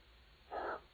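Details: A barn owl on a shelf with another owl, 23 April 2010, gives a single short, harsh, breathy rasp of about a third of a second, hissing rather than tonal, over a quiet background.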